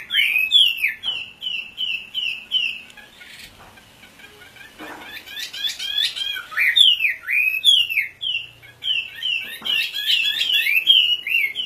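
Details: Oriental magpie-robin (wambi) repeating bright, sharply inflected whistled phrases many times a second, pausing midway amid rustling, then resuming with rich varied notes and high squeaky accents.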